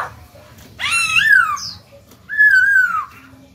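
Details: Caged black-throated laughingthrush singing so that newly caught birds begin to sing: two long, full whistled phrases, the first rising then falling, the second level then dropping, with a pause between them.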